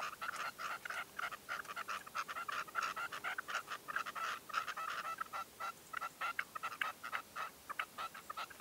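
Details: Continuous rapid chatter of short mid-pitched notes from a red-legged partridge kept as a decoy, heard at first light during a 2023 hunting stand, steady and dense throughout.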